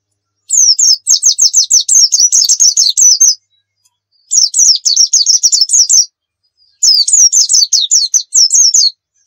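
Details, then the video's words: Pleci (white-eye) song used as a training recording for other birds: three bursts of rapid, high, sweet chirps repeated in quick runs, separated by short pauses, with a clean, quiet background. "Masteran Pleci Nembak"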